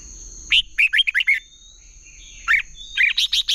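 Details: Red-whiskered bulbul competitive singing for training birds: a crisp note then a tumbling run of warbled syllables, a pause, then two more short bubbly phrases, over a faint continuous high whine.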